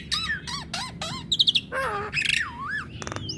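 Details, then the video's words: Song of a female Javan myna meant to provoke responses from other mynas: a rapid series of slurred whistled notes, a burst of high chattering, harsh grating squawks, then a long looping whistle. "Kicauan Jalak Kebo Betina Bikin Jalak Kebo Yang Dengar Langsung Respon"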